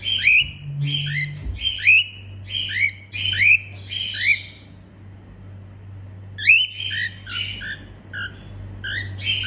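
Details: Happy female cockatiel singing a run of rapid, evenly repeated upswept chirps, a pause, then another quick series of chirps; a brief low tone near the start and steady hum throughout.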